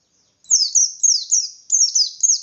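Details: Short burst of caged white-eye ngalas song, sung to provoke other white-eyes: a few loud, high chirps each slurring steeply downward in quick succession.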